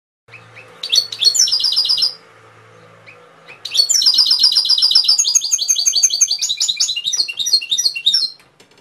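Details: Canary singing: a short, high, rapid trill, a pause with faint low murmur, then a long run of fast, high chattering trills and rattles that shift through several rapid phrase types.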